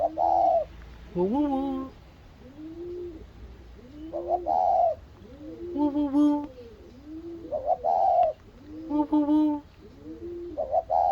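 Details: Spotted doves calling to each other after meeting; soft low coos roll on with a bubbling rhythm, broken every few seconds by louder nasal, rising squeals and strained rasping notes.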